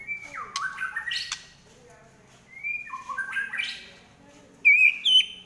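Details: Trotol fighting song of a kept white-rumped shama. Descending and rising whistled slurs with buzzy bursts come in two phrases, then a brief gap, then two loud, pure, high whistles at the end.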